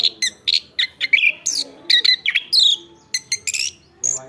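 Chestnut-capped Thrush in lively song: a fast run of short, bright, varied notes with sweeping high whistles, delivered in quick bursts with brief pauses.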